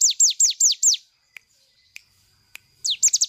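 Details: Cigun bird song for tutoring other birds: five loud, high, falling whistled notes, then a quiet gap with a few faint ticks, ending with a quick cluster of sharp notes.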